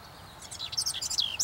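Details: House wren in North America: a short, tumbling burst of high, jumbled chirps and sliding notes over a quiet background.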